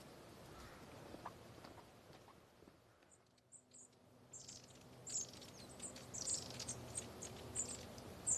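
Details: Long-tailed tits from a feeding flock overhead give very high, thin 'see-see' notes about once a second over a low hum of background noise.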